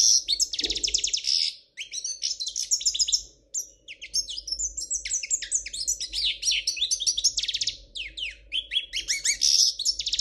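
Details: Royal Spanish European goldfinch singing, a fast, bright tumble of high twittering trills, buzzy rattles and sharp chirps in near-continuous phrases, with a low steady hum underneath.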